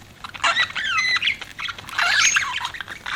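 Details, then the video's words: Pet budgerigars chirping; short, bright, sliding chirps and warbled notes come in two bursts separated by a quieter gap, with faint background hiss. "CUTE PET BUDGIES CHIRPING"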